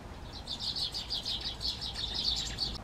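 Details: A great tit (Parus major) sings a quick run of high, sharp repeated notes for about two seconds over a soft background hiss.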